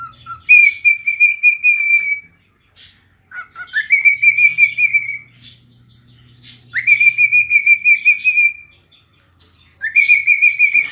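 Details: Pet cockatiel sings as it dances and rubs its tail: long level whistles, each starting with a rising swoop, repeated four times with short pauses, faint low hum between phrases.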